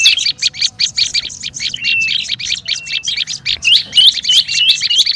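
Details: Olive-backed tailorbird chattering as a lure: a steady run of sharp, bright chirps about three per second, broken by short flat whistles and a few upslurred notes near the end.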